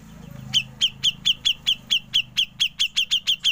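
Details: Ngepik-style song of a grey-cheeked bulbul, kept for training other songbirds: a steady series of sharp, high chipping notes, about four each second, over a faint low hum.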